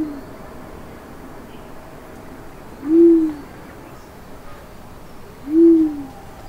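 A Sri Lanka Wood Pigeon gives two deep, soft, owl-like hoots, each about half a second long and roughly two and a half seconds apart, over a low background hiss.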